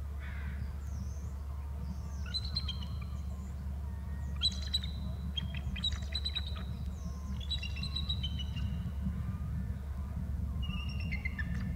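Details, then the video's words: Eagle arriving from the strait and calling as it lands, giving bursts of sharp, high staccato chirps and short trills in several separated phrases over roughly twelve seconds, with a constant low background hum. "another eagle to ULB from the strait calls on landing"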